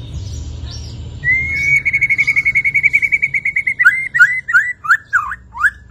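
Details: White-rumped shama after its moult, pouring out its repertoire: a long, fast, evenly pulsed whistled trill holding one pitch, then breaking into loud, varied, swooping whistled notes over a faint low hum.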